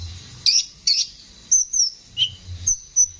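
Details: Konin with a harsh voice, tutor recording for songbirds: scattered sharp high chirps mixed with short thin whistled notes and one lower dropping note, spaced irregularly over a few seconds.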